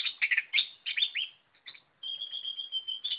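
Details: White-rumped shama in full song, a rich run of varied whistled and warbled phrases around the upper-middle pitch range, a short pause, then a sustained steady whistled note with fine trills.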